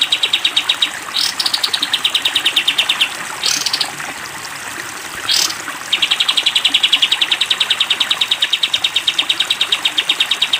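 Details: Training recording of a sooty-headed bulbul in 'tembak panjang' style for cage birds: long bursts of quick, even, high chattering notes, separated by a few short rising sweeps, with a constant hiss behind.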